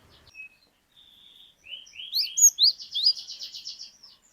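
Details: Cinereous tit, glatik batu, singing in gacor fashion: a thin high whistle, then sharp rising whistled notes breaking into a fast buzzy trill of repeated high notes, in a quiet setting.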